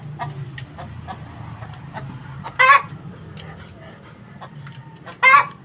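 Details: Domestic hen calling right after laying an egg: two loud, harsh squawking bursts about two and a half seconds apart over soft background clucking and low rumbling noise.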